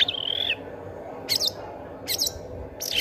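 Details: Long-tailed shrike song used as a lure for other shrikes: a sustained high whistled note, then three harsh, buzzy bursts spaced under a second apart, over constant low background noise.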